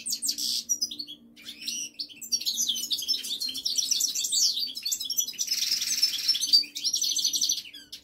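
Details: Two pet European goldfinches, the older one six years old, pour out dense twittering song: rippling high chatter, buzzy wheezing passages and quick liquid notes, with a low hum in the room.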